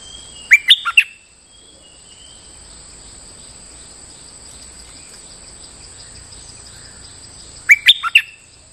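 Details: Bulbul lure song from a champion bird said to be moulting yet still singing normally: a quick burst of three sharp, loud whistled notes, silence with steady high hiss, then another three-note burst near the end.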